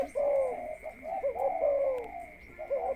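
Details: Spotted dove, a caged ground decoy prepared for the breeding cage, utters a soft rolling coo then a longer sliding note and a brief final coo, over a continuous thin high tone.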